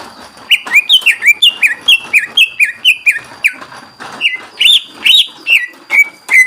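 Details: Greater green leafbird in full song, played to provoke other leafbirds into singing: a fast run of loud, sharp whistled notes sliding down, repeated about twice a second, then brighter rising and falling phrases.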